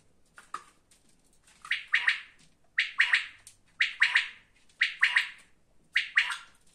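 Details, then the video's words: Jaydari-type quails calling: sharp three-note phrases repeated about once a second, each note crisp and clipped, against a quiet background. "озимизи жайдари беданалар"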